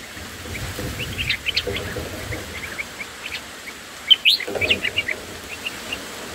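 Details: Black-headed bulbul chicks being fed by a parent in the nest on day one: scattered high chirps in rapid bursts, with a sharper cluster near the middle, over low background rumble.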